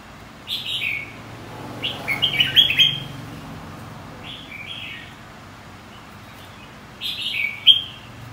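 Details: Red-whiskered bulbul of the white-cheeked type in competitive song: loud, clear warbled phrases, a rapid rippling run around two to three seconds, a brief phrase near 4.5 seconds and a strong burst at seven.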